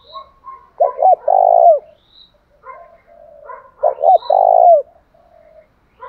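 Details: A spotted dove, said to have a typical field-type voice, gives two low, hollow cooing phrases, each a quick double coo and a longer rolling coo, about three seconds apart, with faint chirps from small birds.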